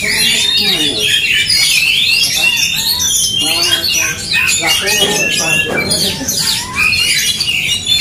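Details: Oriental magpie-robins in an aggressive fighting duel: dense, overlapping loud whistles and harsh squawky phrases, with rapid sweeps and chatter pouring out continuously, and low human voices talking underneath.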